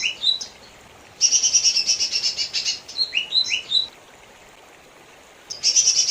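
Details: Lesser green leafbird, mini form, pours out a long buzzy high trill with sharp falling whistles, goes silent for about two seconds, then resumes the trill.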